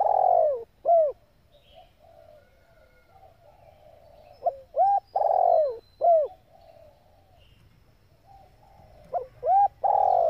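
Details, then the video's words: Calling female spotted dove, kept in Vietnam to stimulate and train male decoys, repeats its low hooting phrase three times, each with short arched notes around a long falling coo, separated by soft murmurs. "tiếng chim cu gáy mái tập bổi kích mồi căng lửa"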